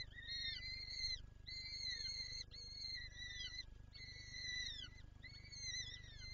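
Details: Peregrine falcon calling in Lublin, Poland, 23 April 2024, as it wants to feed its chicks: a series of long, strained wailing notes, each about a second, some with downward-bending ends, over a constant low hum.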